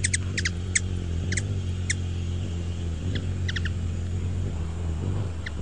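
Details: Quick clusters of thin, high, clicking chips from a Ruby-throated hummingbird, Archilochus colubris, bunched at the start and again near the middle, over a persistent low hum.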